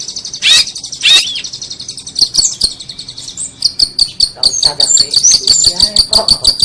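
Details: Long-tailed shrike tutoring song for contest birds: two loud sharp slurred notes, then an accelerating, steady series of clipped high notes with faint chattering underneath.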